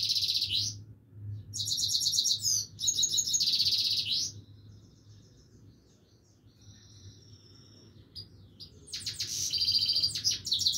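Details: Continuous song of a Himalayan goldfinch, with rapid bright chirps and buzzy high trills in dense phrases, a quieter stretch of thin notes in the middle, then more lively twittering, with a faint low hum throughout.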